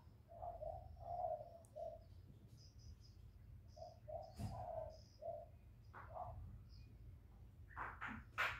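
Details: Spotted dove, a bird kept by hobbyists, cooing in short phrases of low, soft, hooting notes, pausing between groups, with faint high chirps and sharp clicks and knocks in the background.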